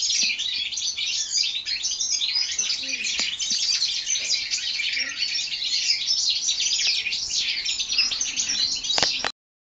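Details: Four-month-old European goldfinch hybrids bred in 2012 sing a continuous torrent of high, tinkling chirps and rattling trills, steady in loudness, ending abruptly in silence.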